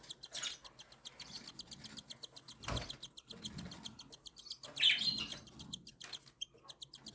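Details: Pet cockatiel chicks, one and seven days old, being fed by their mother. A steady stream of rapid, high ticking pulses runs throughout, with one brighter chirp near the end and a low thump midway.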